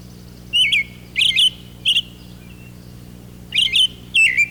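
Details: American robin singing in spring, perched high in an oak tree near its nest, giving short, clear, wavering whistled phrases, 'cheerily, cheer-up', five in about four seconds, each slurring up and down, with brief pauses between.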